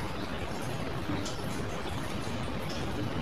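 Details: Dense broadband hiss like pouring or rushing water, with no animal calls.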